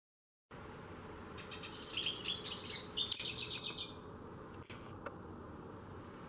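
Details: A Carolina wren perched on a shepherd's hook in a front garden just outside a low window in Saco, Maine, sings a loud, ringing run of rapidly repeated rolling phrases for about three seconds, then stops, with a steady faint hiss behind.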